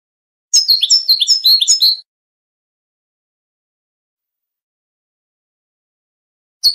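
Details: Goldfinch song: a brief burst of about six quick, slurred high notes lasting a second and a half, followed by long silence and a faint clipped sound at the very end.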